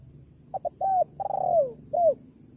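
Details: Clear spotted dove call used as a lure to draw in wild doves: two quick soft notes, a sustained coo, a long purring coo that falls away, then a brief final coo.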